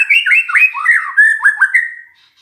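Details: Magpie-robin singing as a lure to prompt a silent bird: rapid sequence of swooping whistled slurs, some falling then rising, ending in a level whistle that fades out.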